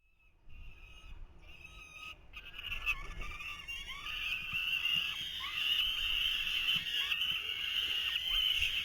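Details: Falcon chicks at their nest in 2023, clamouring as the male tries to feed them; after a quiet start with a few short notes, a harsh, high, continuous screeching chorus swells from about two seconds on and keeps building.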